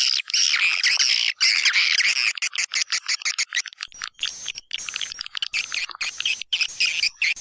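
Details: White-nest swiftlet lure call of the Kaltimtara type, used to draw birds into swiftlet houses and tested in East Kalimantan. Dense, rapid high chattering and buzzy chirps run in uneven bursts, with short gaps between them.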